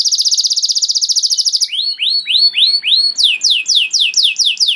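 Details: Canary song for training juvenile canaries: a fast pulsing high trill followed by slower, evenly spaced downslurred whistles that later quicken.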